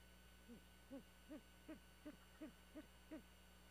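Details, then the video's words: Night-time murmuring of a great horned owl at a nest atop a pine on Skidaway Island, Georgia, where an owlet is raised: eight soft, hooted, arched notes, each brief and evenly spaced under half a second apart, with constant background hum. "Murmuring, then view of GHOWlet - Skidaway Is, Ga, Great Horned Owl"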